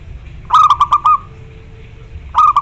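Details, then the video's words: Local zebra dove with a big voice, cooing to call a rival. It gives a pulsed, mellow phrase of several rapid notes that closes in a sustained coo. A second phrase begins after a pause, over a faint low hum. "Perkutut lokal gacor suara besar || memanggil lawan"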